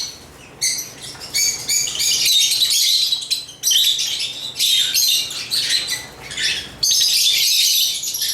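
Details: Lovebirds sing with a near-continuous stream of squeaky, scratchy chirps, high-pitched and busy, broken by a few brief pauses over several seconds.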